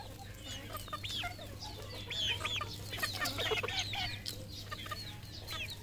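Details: Red junglefowl on a farm in Cambodia cluck and squawk in a busy, irregular chorus of short calls, several birds at once, over a steady low hum.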